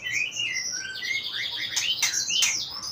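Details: Two-year-old caged white-rumped shama singing steadily: a dense mix of high whistles and slurred, dropping notes, with sharp clicking strokes woven through the phrase.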